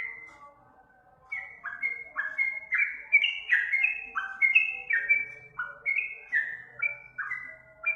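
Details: Sooty-headed bulbul (trucuk) singing, used as a training recording for other birds: a brief faint note, a short gap, then a lively series of bright whistles stepping between high and low pitches with a faint low hum beneath.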